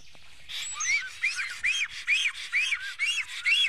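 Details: Nest-defending black stork in Estonia, 15 April 2018 near noon: after a quiet start, squawky arched whistles begin and repeat a little over twice a second, uneven in spacing, with a grating tone.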